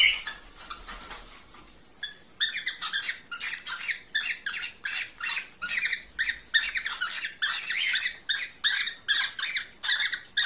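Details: Mating call of a cockatiel, played to encourage breeding: after a quiet opening of about two seconds, a steady stream of raspy, chattering squawk bursts follows, roughly two per second, shrill and grating throughout.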